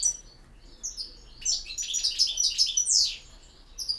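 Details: Campero song of a European goldfinch: a quick, rising twitter of bright, metallic notes that builds to a sweeping high trill, then eases into scattered chips.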